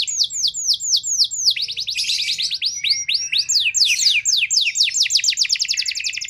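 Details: Canary (kenari) song used to provoke poorly conditioned canaries to sing; slower repeated downslurs give way to a rapid, intense rolling trill that changes pace several times.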